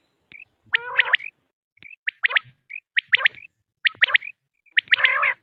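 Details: Quail call recording used for hunting: short whistled note followed by a sharp triple chirp, the phrase repeated about once a second in a clean, quiet recording.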